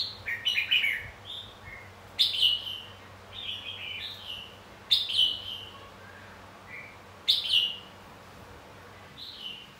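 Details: Competitive fighting song of a red-whiskered bulbul, played to push birds to sing: clear chirpy warbled phrases repeated roughly every two to three seconds, each opening with a sharp loud note then sliding lower.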